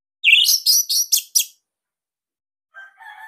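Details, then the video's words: Bali orange-headed thrush in captivity gives a loud, tight training song: one rising slurred note and four quick harsh descending notes, then a soft, lower warbled sound after a pause. "Kicauan ANIS MERAH Ini Cocok Buat Masteran"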